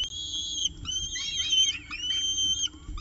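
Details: Evening meal at a peregrine falcon nest, CSU Orange nestcam, 6:51 pm on 18 October 2018: tangled high whistling calls, steady drawn-out tones broken by short warbling bends, more than one bird calling together.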